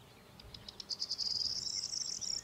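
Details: Corn bunting (Emberiza c. calandra) at Lake Kerkini NP, Greece, April 2024: a few high ticks speed up into a dry, glassy jangle held over a second, like rattled keys. Faint background hiss.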